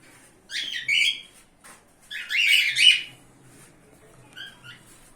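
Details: Female cockatiel outdoors, reluctant to go back inside; two harsh, grating squawk bursts about a second apart, followed by a softer chirp, with a person speaking quietly in the background.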